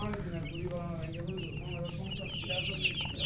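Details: Chicken chicks chirping: thin, high, downslurred peeps that cluster toward the end, over steady low rumble and lower harmonic clucking-like sounds.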